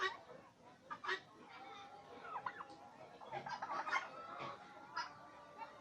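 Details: Farm turkeys in Bangladesh calling: several short clucks and gobble-like bursts from multiple birds scattered across the clip, with a faint steady hum and some background noise.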